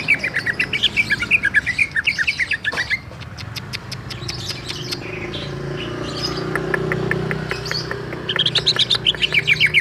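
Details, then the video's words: Rolling song, called ngerol, of a greater green leafbird from Bali: a quick trill of whistled notes opens, a stretch of sharp clicks and soft hum follows, then the trill resumes at the end. "Cucak ijo ngerol"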